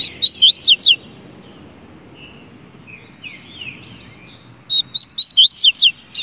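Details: Double-collared seedeater singing two loud phrases about four seconds apart, each a quick run of five or six sharp, high, slurred whistled notes rising and falling, over a steady thin high-pitched whine and soft faint chirps between phrases.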